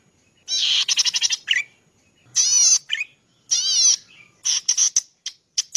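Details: Zitting cisticola, recorded as master material for cage-bird training: a fast rasping series of clicks, then two long quavering buzzes each followed by a short nasal note, ending in scattered brief chips.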